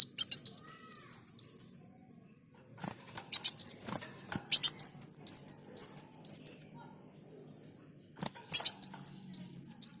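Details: Lively sunbird song for tutoring other birds: rapid series of piercing, downward-sliding whistled notes, grouped into phrases of five to eight with brief gaps, mixed with dry clicking bursts.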